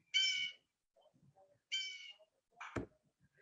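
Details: Blue Jay, a winter resident that stays through the cold months, giving one of its common calls in fall: two harsh, nasal scolding calls about a second and a half apart, then a single sharp knock.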